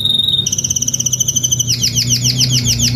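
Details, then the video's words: Adult canary, Spanish Timbrado breed, singing salsa style: a high sustained rattling roll that shifts pitch, then breaks into a fast chain of downward-swooping notes. "CANTO CANÁRIO SALSA ESPANHOL/ESPANHOLINHA"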